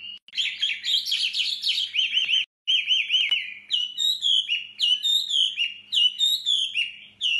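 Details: Male Chinese hwamei pours out loud, rich song, stimulated by a female: rapid rolling whistles, slurred up-and-down phrases and bright repeated notes, almost without pause.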